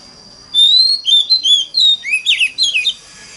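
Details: Lure song in the mountain-forest style from an Oriental magpie-robin, intended to make other magpie-robins sing along. An extended rising whistle is followed by short bright notes and a closing flurry of downward-twisting phrases.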